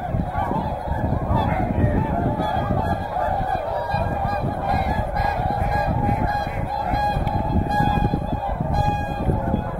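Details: Whooper swans together with tundra swans at Hyoko in Niigata fill the air with a constant, loud wall of nasal honking from many birds. Strong low-pitched rumble throughout, with faint higher chirps near the end.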